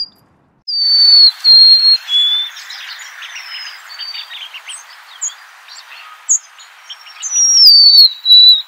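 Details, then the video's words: Golden-crowned sparrow song: clear, high whistled notes that step slightly downward, one phrase near the start and another near the end, over a busy background of softer chirps and twittering from other birds. "Natural Birds Voice, Bird Natural Sound.Golden crowned Sparrow."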